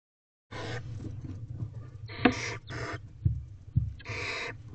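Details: Barn owl owlets begging in nest box C as a parent brings food on 18 April 2023 at 8:05 pm, the oldest two trying to eat directly; harsh broadband hissing screeches in several bursts over low rumbling and scratching.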